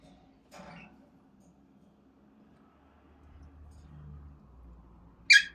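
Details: A pet cockatiel playing peek-a-boo gives a sudden harsh, high squawk after a soft early chirp in a quiet room.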